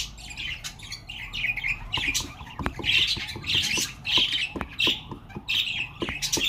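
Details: A flock of budgerigars in a budgie reserve, ornamental birds filmed in 2021, warbling and squawking in overlapping high chirpy bursts, with sharp clicking taps scattered throughout.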